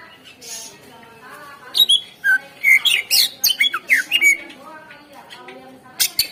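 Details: Greater green leafbird meant to coax other birds to sing: after a soft start, loud harsh squawky and whistled notes come in a quick irregular string, with faint background murmur.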